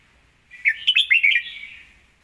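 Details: Red-whiskered bulbul singing in a style praised as well phrased and clear, with a single lively phrase of five or six quick, bright, bouncing notes that trail into a softer warble.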